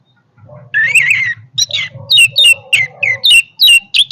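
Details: Orange-headed thrush singing strongly, beginning with a warbled, wavering phrase, then a string of crisp, clear notes that drop in pitch, repeated about every third of a second, with a faint low hum underneath.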